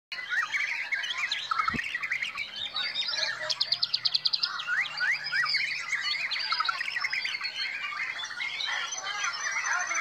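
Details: A black-tailed "Black Devil" white-rumped shama singing at a bird contest pours out rich, varied whistles and fast-fired repeated notes over a dense chorus of other songbirds competing nearby.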